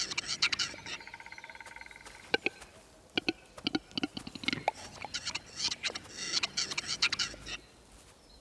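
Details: Courtship display of a male grouse in the Alps, performed on a chosen stage to impress watching females: sharp pops and clicks, a short buzzy droning note, and bursts of rapid cackling pulses in quick, irregular runs.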